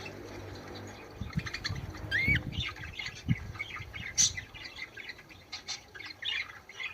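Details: Budgerigar song meant to encourage breeding: a run of scratchy chirps with one clear upslurred whistle, a high squeak later, and low thumping or wing-flutter noise underneath.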